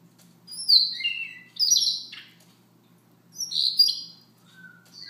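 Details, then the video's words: Siberian rubythroat, soft morning song of high falling whistles and scratchy buzzy notes in two main phrases about two and a half seconds apart, closing with a quieter lower whistle. "Siberia ruby throat"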